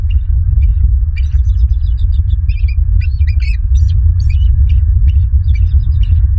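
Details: Bald eagles at a southwest Florida nest, recorded by a live nest camera on 21 January 2023. Rapid high chittering and squeaky, broken piping notes in irregular runs over a steady low wind rumble.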